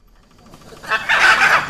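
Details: After a near-silent start, a hyacinth macaw (Anodorhynchus hyacinthinus) breaks into a loud, gravelly squawk that lasts until the end.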